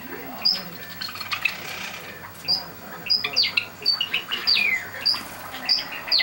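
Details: Pet Java sparrows, seven birds, released from the cage at six in the morning, June 2009, lively; sharp bright chirps repeated about every half second, a brief twittering burst near the middle, soft background voices early on.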